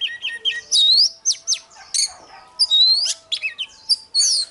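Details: Oriental magpie-robin giving a morning combat song used to rouse other birds to sing: loud, varied whistled phrases with rising sweeps and sharp slurred notes, high-pitched, in quick bursts separated by short pauses.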